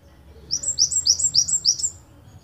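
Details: Java sparrow of the wingko type, said to be endemic to Ponorogo, singing a long-burst 'tembakan panjang' song used as a master recording for training songbirds: about eight high, sharp downslurred chirps in overlapping pairs over one and a half seconds.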